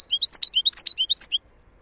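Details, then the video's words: A wild European goldfinch gives a quick burst of high, tinkling, liquid twitters, about a dozen slurred notes in under one and a half seconds, in an otherwise quiet setting. "صوت الحسون البري (خلوي) chont chardonneret"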